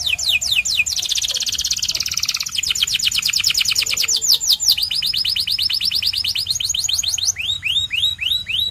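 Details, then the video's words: White canary in full song, moving through loud, rapid tours: falling chirps, a dense rattle, and long runs of fast repeated notes. The run ends with slower rising whistled swoops. "The Best White Canary's Singing"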